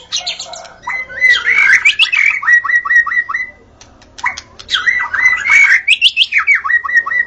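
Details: White-rumped shama singing at dawn, used to attract shamas: two bursts of tangled whistled phrases, each ending in a quick series of repeated downslurred notes, separated by a short silence.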